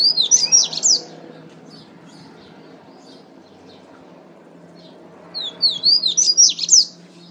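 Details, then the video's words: Coleiro, the double-collared seedeater, in the 'pateta' song style from Natal, RN, Brazil: two bursts of rapid high sweeping whistles, one at the start and one near the end, separated by about four seconds of quiet with low background hum. "COLEIRO PATETA"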